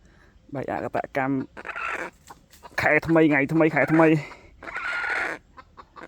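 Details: Red junglefowl, described as having a big, hoarse voice: loud, harsh harmonic clucks in quick bursts, a dense run of rapid cackling notes mid-way, then a longer rasping note, with a quiet background.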